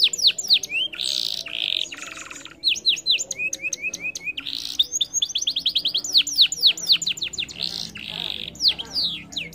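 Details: Canary singing quick high downslurred whistles mixed with buzzy, harsh bursts and rapid trills, continuing without pause through the phrase.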